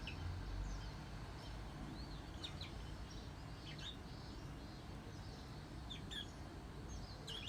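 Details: A pet Bourke's parrot, recorded before it learned to mimic human speech, gives soft, short chirps and quick rising-and-falling whistled notes scattered irregularly through the recording over a steady low background hum.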